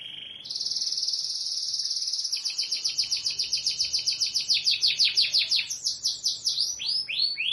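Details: Local canary (kenari lokal) singing a strong, high song: a sustained buzzy trill, then a run of rapid repeated notes speeding up, ending in separate downward-swept whistles.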